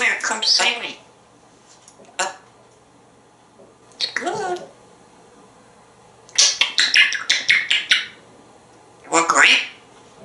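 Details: Indoor pet male African grey parrot from Texas, hatched in 1997, talking in scattered bursts of speech-like phrases separated by quiet pauses, with brief clicks in between.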